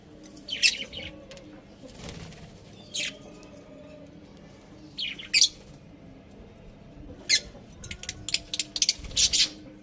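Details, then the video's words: Pet budgerigars at home give scattered high, sharp chirps and squawky notes, alone and in short clusters, with a faint hum in a quiet room. "Cute Budgies Chirping Sounds"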